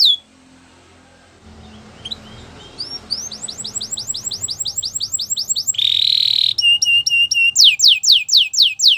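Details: Belgian canary: faint background hum at first, then a rising series of quick repeated high notes. A brief buzzy burst, a stuttering trill and loud falling whistles follow.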